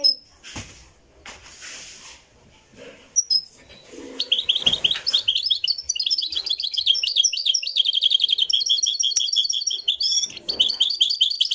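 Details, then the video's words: Live recording of a Moroccan goldfinch. A few clicks and scattered faint noises come first, then a long, lively stream of fast twittering, tinkling trills and sharp chirps that runs to the end without pause. "تغريد الحسون المراكشي"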